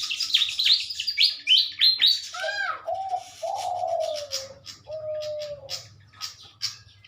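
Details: Captive pied fantails paired for breeding and release, recorded in the morning in Indonesia in 2023: a loud run of stepped high chirps, then falling lower whistles and sparse high notes, with a faint hum.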